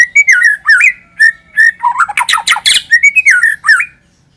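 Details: Lure song of a white-rumped shama: bright whistled notes with twisting slurs, broken midway by a quick series of harsh, raspy chattering notes, then more clear whistles before falling silent.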